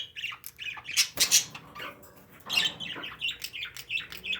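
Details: Pet parakeets squawking and chirping indoors: a loud harsh burst near the start, then a quick series of chirpy, slurred notes in an uneven rhythm.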